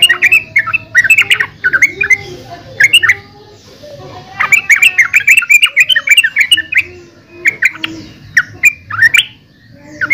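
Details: Yellow-vented bulbul sings loud chattering, bubbly phrases of quick rising and falling chirps, grouped in runs with brief pauses between, against a constant low droning hum.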